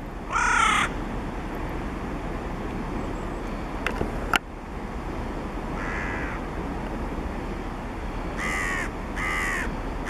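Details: A hooded crow (Corvus cornix) in Świnoujście on 7 October 2016 gives four harsh, rasping caws: one loud, a fainter one, then a closing pair, over a low steady rumble and a couple of sharp clicks.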